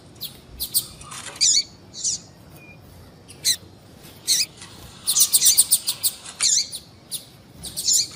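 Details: Female double-collared seedeater calls, used to get males singing. Sharp, high chips come spaced irregularly, with one dense rattling cluster in the second half.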